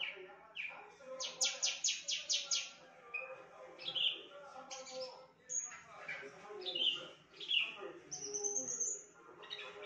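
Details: Javan bush lark delivering a highly varied mimicked song, imitating birds like canary, shrike and bulbul: a quick series of sharp clicking notes, then mixed chirps, squeaky whistles and a rising high whistle, with soft background noise.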